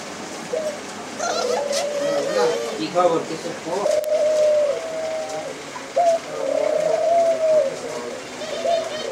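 A white dove gives soft, low, drawn-out coos, some steady and some wavering, repeated every second or two, with faint voices early on.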